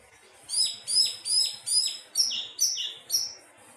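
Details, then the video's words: Thrush delivering a melodious run of seven bright, high whistled notes, each sharply falling, repeated about every half second. "Burung anis teleng suara merdu"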